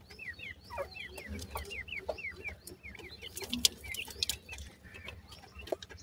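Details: Bright, falling peeps from grey francolin chicks repeat at a brisk, uneven pace, overlapped by scattered clicks and a few higher, fainter chirps toward the end.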